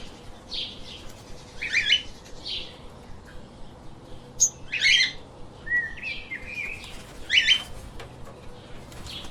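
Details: Lovebirds kept as pets chirping in irregular short bursts of thin, buzzy squeaks every second or two, with background hiss throughout.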